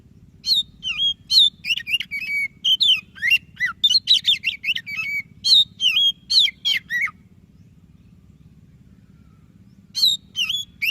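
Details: Oriental magpie-robin of the white-breasted form in lively, continuous song, used to coax reluctant birds into singing: a long run of varied sweet whistles and quick warbles for seven seconds, a pause, then more phrases, over a faint low hum.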